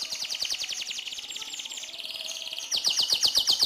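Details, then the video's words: AFS canary in full, active song, a tutor recording for white-rumped shamas: a continuous rapid trilled roll that drops slightly in pitch midway, then turns louder and sharper for the final second. "KENARI AFS GACOR NGEROL PANJANG MASTERAN BURUNG MURAI BATU"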